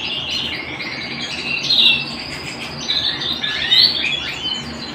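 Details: A canary sings indoors with a harsh, buzzy warbling trill, strong bursts near two and four seconds, and quieter rolling passages between, over low hum.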